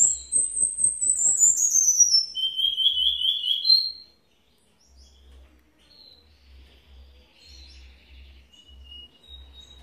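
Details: Cuban bullfinch (Melopyrrha nigra) from Villa Clara, Cuba, giving a redoblao song: a very high, thin whistle sliding downward, then a quick buzzy trill over about four seconds, followed by faint high notes and low thumps.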